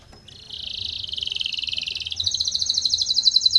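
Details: Spanish Timbrado canary training song: a soft start builds into a low, rattling roll, which rises into a higher, crisper series of pulsed notes.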